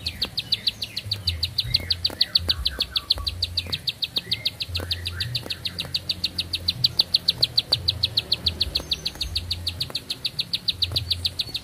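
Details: A bar-winged prinia keeps up one long continuous song, with fast, metronomic high chips of equal pitch repeated several times a second without pause. Soft slurred background chirps and a low droning hum are also audible.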